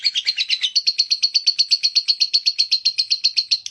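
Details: Lovebird singing a quick, very regular series of sharp, shrill notes, about four per second, beginning slightly jumbled and then settling into an even, insistent rhythm.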